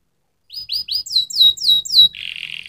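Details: Canary song: three bright, slurred whistled syllables, then four sharper, higher downward-sweeping notes, ending in a dense buzzy trill.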